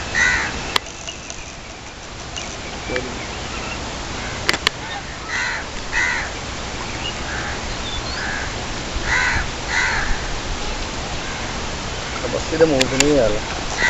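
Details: Domestic geese at a fish farm in Kamoke, Pakistan, by day give harsh, nasal honks in short repeated bursts over a steady outdoor hum.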